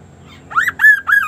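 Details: Sunda laughingthrush with an unusual song: three rough, nasal, arching notes in quick succession over steady low background noise.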